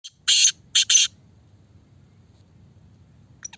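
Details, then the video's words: Sindhi black francolin (kala teetar) of the fast 'speeder' calling style, said to give eight calls a minute: three harsh, grating buzzy notes in quick succession, a short one then two close together, followed by quiet low hum. "Speeder || kala teetar || Speeder black Francolin"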